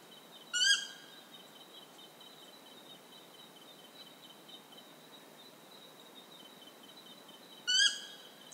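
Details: In Ecuador, a Stygian owl gives two short, nasal, upslurred calls about seven seconds apart, over a steady high insect whine.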